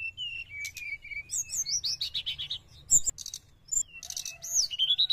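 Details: Sooty-headed bulbul in energetic song, a lure for wild birds: whistled phrases, a fast run of descending notes and bursts of scratchy chatter, closing with rising whistles.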